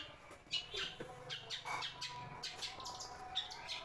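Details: Long-tailed shrike kept at home, calling as soon as a person arrives, like a house guard: irregular harsh chirps and squawky notes of varying length over a faint low rumble.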